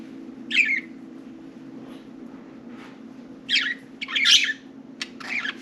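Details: Pet budgerigars, four of them, playing and talking around their cage; one squawky chirp early, then a cluster of harsh, buzzy notes and clicks after a quiet pause, with low indoor hum.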